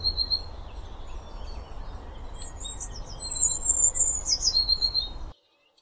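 Eurasian blue tit singing high, thin, tinkling notes that run into a quick falling trill, over a steady low rumble of background noise.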